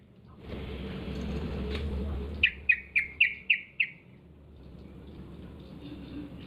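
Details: Yellow-vented bulbul lure sound for drawing replies from other bulbuls: after two seconds of rumbling background noise, six sharp, clear chip notes repeat evenly at about four per second, then fade to quiet.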